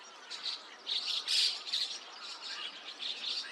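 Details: White-cheeked starlings flocking with chestnut-cheeked starlings at dawn, 5 a.m., 29 June 2026, Takata-cho, Rikuzentakata, Japan; continuous overlapping squeaks and chirrs with several louder pulses, many birds calling at once.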